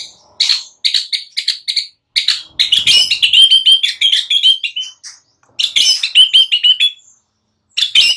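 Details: White-rumped shama morning song meant to stimulate silent birds: high, rapid repeated chips building into quick trilled warbling runs, in several bursts separated by brief silences.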